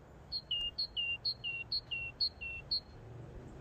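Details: Great tit in a garden, February 2021, gives its high, see-sawing two-note 'teacher, teacher' phrase, about seven times in quick succession over a faint background hiss.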